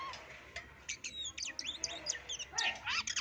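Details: Oriental magpie-robin, a white-legged bird originating from West Sumatra, delivering a fast, busy stream of varied high chirps, sweeps and slurred whistles that become denser and louder toward the end.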